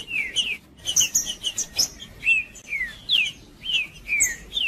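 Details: Green-winged saltator singing in macheando style, a male-type song played to warm up another saltator; slurred whistled phrases dropping in pitch, repeated in quick, irregular bursts with short high chirps between.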